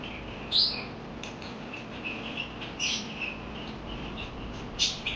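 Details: Parakeets chirp with a few loud squeaky notes and soft wavering twitters running between them, over low steady background hiss.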